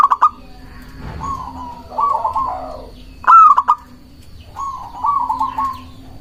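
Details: A local zebra dove gives song used to lure and provoke rivals: rapid rolling trilled coos alternate with a sharp whistled burst and quick clipped notes, cycling over several seconds against a faint hum.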